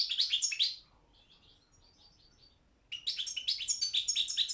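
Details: Balkan European goldfinch (Carduelis carduelis balcanica) in a world song competition held online: a loud burst of high twittering, a soft faint warble, then another quick run of bright chattering notes.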